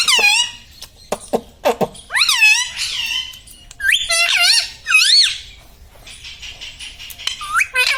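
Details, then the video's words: Mimicking parrot kept at home, saying 'mummy papa' and 'radhe radhe'. Quick clicks lead into a run of squeaky, wobbling, word-like calls of varied pitch, then a softer buzzy stretch and one last squeak. "Talking mummy papa|| mummy vala parrot || mithu bolo radhe radhe"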